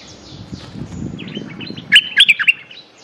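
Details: Streak-eared bulbul calling for a mate, used as a luring call: a loud burst of four or five sharp, squeaky chirps near the end, over a quiet background of faint rustling.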